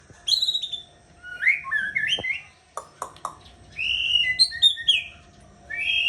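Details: White-rumped shama delivering rich, fluty whistled phrases mixed with sharp clicks and quick slurred notes, bursts separated by brief pauses, over a faint steady hum.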